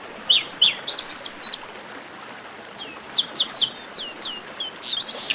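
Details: Chestnut-capped blackbird song: a couple of chirps and a sustained whistle with overlapping notes, a short quiet gap, then a lively string of slurred, descending whistled notes.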